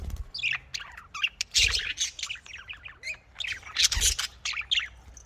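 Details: Budgerigars in a breeding setting keep up continuous chattering: rapid, overlapping chirps and squeaky warbles with sharper squawks around the middle and near four seconds.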